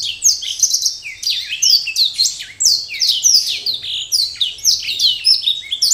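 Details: Courtship song of a black-throated canary inviting a mate, a fast unbroken run of high chirps, swooping downward slurs and short rattling trills that keeps going throughout, with a quiet background.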